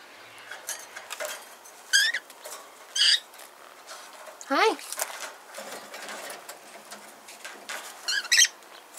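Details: George, an 8-year-old rescued male whiteface cockatiel, gives short, scratchy chirps every second or two, including one longer warbling note sliding downward, against quiet room noise.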